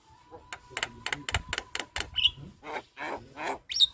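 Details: Javan myna chattering as a master recording for training other birds: harsh broadband rasps in a rapid irregular series, with a few short whistled notes and a faint steady hum.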